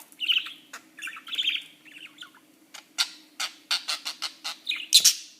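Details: A playful budgerigar chatters with warbling notes and harsh, rapid clicks and squawks.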